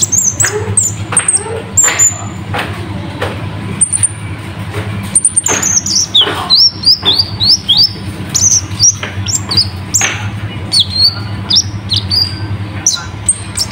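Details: Sunbird (konin) song in a Full Isian style, meaning filled with imitated phrases, used as a tutor recording for kept birds: thin, high whistled notes and sharp upslurred chips in quick varied bursts, with a steady low hum underneath.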